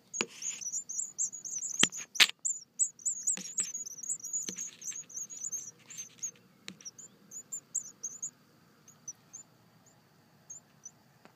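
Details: White wagtail; begging call; hungry young birds begging for food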